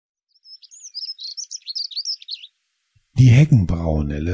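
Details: House sparrow at a garden feeding place in Goch gives a quick run of high, thin chirps for about two seconds, several notes per second, then a person starts speaking.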